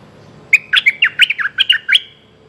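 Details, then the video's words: A mate-calling Streak-eared bulbul delivers one tight phrase of about eleven bright, clipped, bubbling notes lasting around one and a half seconds, over quiet background. "Suara pikat merbah lekir"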